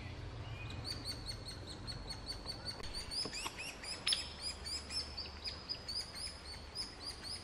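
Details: Nestling hairy woodpeckers about to fledge, fed at the nest in the Snoqualmie Valley, give a continuous stream of sharp, high chirps repeated several times a second, rising into a louder burst midway, over low background rumble.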